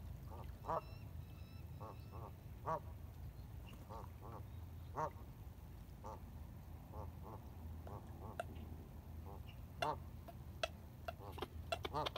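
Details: Ducks at sunrise on the Colorado River, Needles, California, 6:16 AM on April 12, 2021, iPhone 7 recording: scattered short nasal quacks, irregular and overlapping, over constant low engine rumble and water noise.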